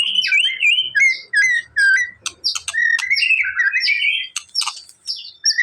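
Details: Provoking song of a white-rumped shama: short looping whistled notes repeated rapidly, mixed with buzzy chirps and sharp clicks, loud and varied throughout.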